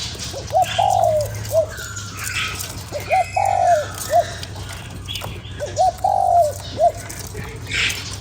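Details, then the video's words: Lure-stimulating call of a spotted dove: three low phrases about every two and a half seconds, short hoot, drawn-out quavering coo, short hoot, with soft chirps of other birds behind. "Cu gáy kích bổi"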